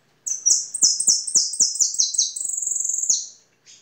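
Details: Fast, loud European goldfinch song of bright downward-sweeping notes that run together, shifting into a quick trilled stretch and ending with a short harsh note.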